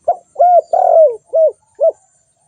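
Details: Spotted dove giving five low coo notes in quick succession. A short hoot opens, then come arched coos, with a longer, rough, falling note in the middle and brief rounded hoots to finish.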